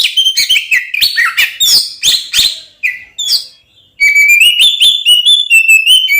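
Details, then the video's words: Oriental magpie-robin (kacer) with a fighting song used to provoke other magpie-robins: rapid choppy warbled notes, a brief quiet spell, then clear sustained whistled phrases. "SUARA BURUNG kacer gacor NGEPLONG TARUNG konslet ini paling AMPUH buat PANCINGAN KACER agar EMOSI"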